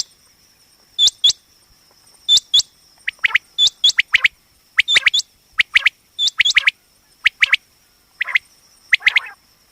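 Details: Female common quail (batair) calling, used for hunting and trapping; pairs of upward-hooked high chirps alternating with quick descending notes in clusters, repeated every second or so, above a steady thin electronic whine.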